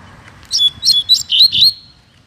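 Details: Caged male Double-collared Seedeater (coleiro) taken on a walk in the bush before its moult, singing a lot: five bright, sharp high whistled phrases in quick succession, the last ones slurred and descending, with faint low rumble behind.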